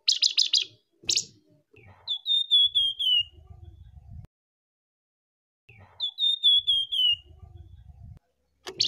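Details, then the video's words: Male and female flamboyan birds give a lure call: runs of about six high, clear notes slipping gently downward, repeated after pauses, with short buzzy bursts between and a low rumble behind; flamboyan bird. "suara pikat burung flamboyan gacor"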